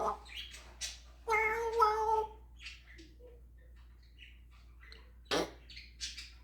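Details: Pet African grey parrot performing its repertoire of imitated words and sounds such as snoring, dog, cat and rooster noises: a loud, rich harmonic wail held about a second, framed by scattered short squeaks and chirps indoors.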